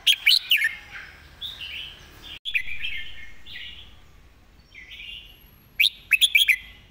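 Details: A Red-whiskered bulbul sings a clear model song for training birds. It opens with a loud flurry of chirps, moves into soft, slurred warbling, and ends with a quick run of four sharp notes.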